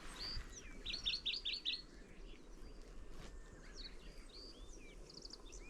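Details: Middendorff's grasshopper warbler singing: a faint, high phrase of rapid buzzy, repeated notes, then scattered chirps and thin slurred whistles over steady low background noise outdoors.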